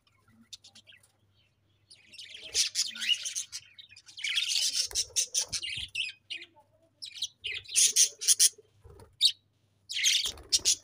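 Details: Pet budgies keep up dense chirping: rapid scratchy warbling runs and bright high tweets in bursts, broken by short pauses and a few soft thumps.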